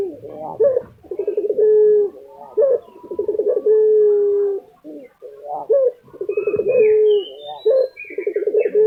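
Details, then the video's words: Lutino Barbary dove, a kept bird popular in Indonesia, calling steadily: a short upturned note, then a rolling, purring trill that settles into a long level coo, repeated about every two seconds. Faint higher whistles are heard near the end. "puter lutino gacor tembus 2 menit"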